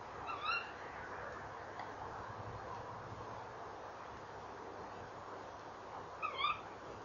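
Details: Tawny owls at a nest box, evening of 28 November 2013, calling at 19:22. Two sharp, rising calls sound about six seconds apart over a quiet low hum.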